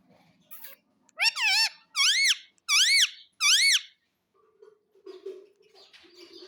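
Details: Cheerful pet parrot in a small room, calling four loud, arched screeches at a steady pace about a second apart, followed by faint low rustling and quiet background noise.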